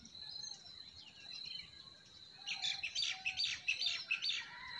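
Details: Forest birds in spring: a quiet start, then a lively burst of rapid, high twittering chirps in the second half, over a steady high tone.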